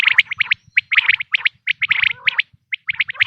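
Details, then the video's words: Quail calling, a natural recording meant for hunting in the 2026 season: short clusters of two to four sharp, clipped notes repeated in quick bursts, with brief pauses and a rougher, lower chattering mixed in. "بٹیر کی آواز"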